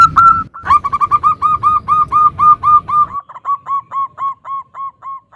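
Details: Zebra dove, a local bird singing the nutut variation used to lure other zebra doves into song: a long steady series of short clipped whistled notes, about four per second, with background rumble fading after three seconds.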